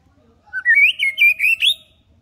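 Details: White-rumped shama lure recording for juveniles, deliberately low-key so young birds learn to sing: a quick run of about five clear, rich whistled notes climbing steadily higher in little over a second, quiet background.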